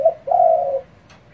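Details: Spotted dove in rapid provoking calls: a brief low hoot followed by a drawn-out, steady, mellow coo, then silence.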